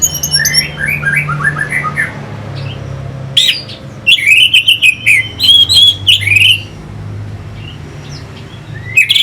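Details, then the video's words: Orange-headed thrush lure song for stimulating fighting birds: soft, quick whistled notes at first, then a loud two-second burst of chattering, buzzy phrases before it fades back to quiet. "Pancingan SUara ANIS MERAH Pembangkit Figther Burung"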